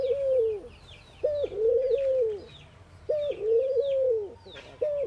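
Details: Ring-necked dove cooing in the morning, India. Rhythmic low phrases, a quick higher note followed by a prolonged smooth tone, repeat about every 1.9 seconds while small birds chirp high in the background.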